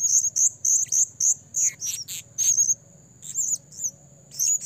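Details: Trapping lure recording of a blue-crowned hanging parrot: shrill, very high chirps repeated roughly every third of a second, a few longer buzzy notes, a short gap, then more squeaky high calls over a constant thin whine.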